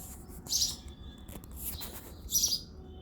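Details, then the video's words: Male house sparrow singing in the early February morning: three bright, sharp chirps spaced under a second apart, with quiet gaps and faint low background hum. "House sparrow sound effect | Sparrow chirping sounds"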